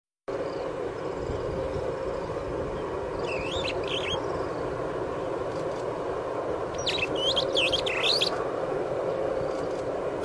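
Superb starling gives two short bursts of chattering, squeaky notes, each lasting about a second, over a steady low rumble of traffic or engine noise.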